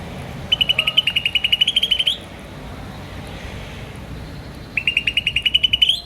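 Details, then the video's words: Green starling giving two bursts of rapid, evenly spaced high chirps, each ending in a short upward sweep, with a quiet pause between them. "Green Starling Chirping Sound"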